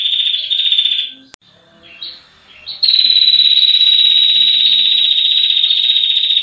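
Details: A female red-headed prinia gives a long, high, dry trill that runs without pause for several seconds, after a few shorter buzzy bursts; the recording is used as a master song for training birds.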